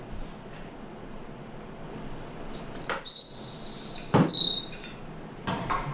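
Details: Savannah sparrow from a study population in the Bay of Fundy, eastern Canada, singing: thin, very high introductory chips, then a long buzzy section ending in a short, lower terminal trill, with a few soft clicks underneath.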